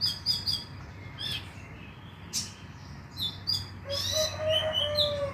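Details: Konin sound meant to trigger night singing: a fast series of high chirps, a short pause, then a dense twittering phrase with some lower whistled notes mixed in.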